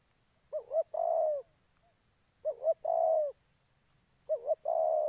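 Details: Spotted dove serving as a trapping decoy in Gia Lai, Vietnam: a repeated phrase of two quick wavering notes followed by one long, even coo, given three times about every two seconds in a quiet setting.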